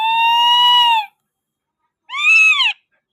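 A rose-ringed parakeet gives two loud, clear calls: a long, level squawk of about a second, then a shorter one that rises and falls.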